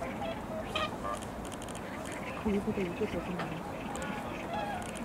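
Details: A wintering flock of whooper swans in Korea, at wetlands or riverside, trades loud honking, bugle-like calls in short overlapping bursts while people talk nearby.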